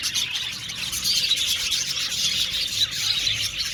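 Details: Colony of budgerigars kept in an aviary, steady bright chirping from many birds merging into an unbroken, buzzy twitter.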